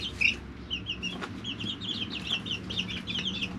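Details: Three-week-old brooder chicks, one loud peep then rapid runs of high chirps from several birds, with a tap and a low humming background.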